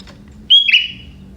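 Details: A young wild forest sooty-headed bulbul sings a prinia-style phrase: a thin high whistle drops into a brief buzzy burst, then fades. Faint low hum underneath.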